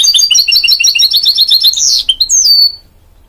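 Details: Goldfinch mule, a hybrid of goldfinch and canary, delivering fast tinkling twitters in a steady run, then a harsh buzzy burst and a long descending whistle before falling silent.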